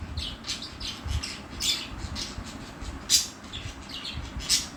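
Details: Pair of pet budgerigars squawking and chirping, harsh short notes repeated unevenly, roughly forty per minute, with a few louder piercing peaks and low background rumble.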